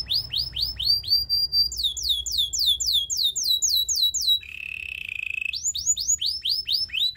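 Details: Song of a Belgian singing canary kept to seduce other canaries: downslurred notes and a held high tone, a series of swept whistles, a low rolling buzz, then more sweeping notes.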